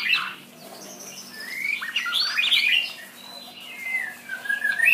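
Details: Shama singing a varied run of clear whistled phrases, some rising and some falling, with bright slurred notes and short pauses between bursts; faint steady low hum behind.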